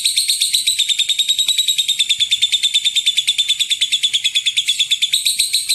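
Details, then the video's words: Lovebird 'ngekek panjang' lure chatter meant to set other lovebirds off: fast, buzzy high notes about three per second, blurring into a continuous trill, loud and uninterrupted, background nearly silent. "Pancingan suara lovebird ngekek panjang"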